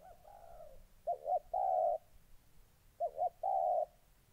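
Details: Caged decoy spotted dove, molting, confronting an aggressive wild dove in Gia Lai, Vietnam, 14 August 2020: a faint low coo, then two quick short notes and a long steady hooted coo, the phrase repeated about two seconds later.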